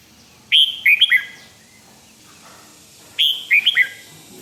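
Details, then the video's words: Red-whiskered bulbul song of the "rik" type, played to make other birds lively: two matching phrases roughly two and a half seconds apart, each four clear, chirpy whistled notes falling in pitch. "เสียงนกกรงหัวจุก ร้อง ริก เปิดให้นกฟัง ยั่วให้นกคึกจัด chao mao"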